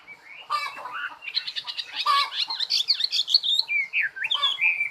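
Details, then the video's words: Energetic bird song mixing scratchy, buzzy chatter with rising and falling whistles, ending in looping clear notes. "Chim hót"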